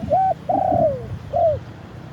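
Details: Decoy spotted dove on a branch perch, calling to attract wild doves and recorded live. It gives a short coo, a long drawn note falling away, then another shorter falling coo, over low background rumble.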